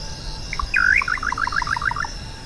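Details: Little nightjar (Setopagis parvula) song: a slurred opening whistle, then a quick bubbling run of paired notes at about ten per second, over a steady high insect hiss.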